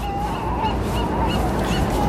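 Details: Gulls at a foggy pier in Newport on the Oregon coast give quick, nasal, honking calls in rapid series over a steady low rumble of harbour din, with boats nearby and sea lions emerging.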